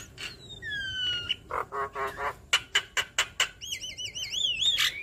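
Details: Javan myna singing, used to coax other mynas into replying: long gliding whistles, then a string of harsh pulsed notes, ending in wavering, warbled whistles.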